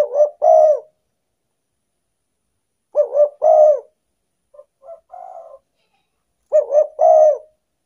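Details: Lure call of a spotted dove for attracting wild birds: three cooing phrases of two short notes and one drawn-out note, spaced about three seconds apart, with a soft murmured sequence before the last.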